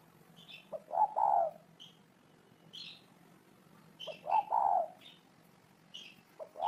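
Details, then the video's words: Spotted dove cooing in separate phrases about three seconds apart, each a quick stuttered start rising into a longer low hooting note, with high chirping birds in between. "Tổng hợp tiếng chim cu gáy hay năm 2018"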